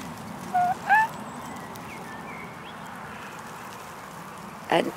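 Black swan giving two short, rising, bugle-like notes, some faint higher whistles, then a final abrupt call, over a low steady background rumble.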